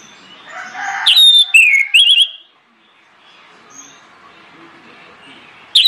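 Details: Orange-headed thrush singing as a lure to prompt other birds to sing: a short burst of loud whistled phrases with sharp downward slurs, then quiet with faint background chatter and a final note at the end.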